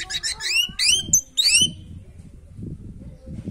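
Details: Orange-headed thrush, song meant to rouse a bird lacking breeding drive; a rapid run of upward-sweeping whistled notes for under two seconds, then only low background rumble.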